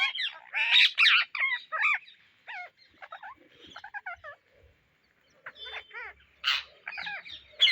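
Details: Indian ringneck parrots searching for seeds: intermittent harsh squawks and sharp screeches in clustered bursts, a short quiet spell midway, then more loud squawks.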